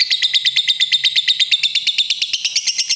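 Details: Lovebird's ngetik ngekek call, said to prompt rival birds into song, heard as a steady, very regular high trill of sharp repeated notes, roughly three per second, without a pause.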